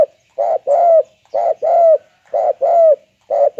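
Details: Spotted dove with a banggo-type voice, very vocal: loud repeated coo pairs, a brief note then a longer, slightly descending slurred coo, recurring roughly every second against a silent background.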